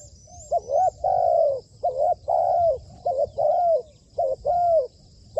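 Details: Spotted dove kept as a trained decoy bird, cooing loudly: three phrases, each a short rising-falling double note then a longer drawn-out coo, about one phrase every 1.5 seconds, with a thin high ringing background.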